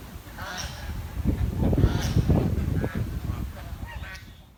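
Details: Village swan calling with harsh, nasal honking notes in a loose irregular series, several overlapping and swelling in the middle, over low rumbling background noise.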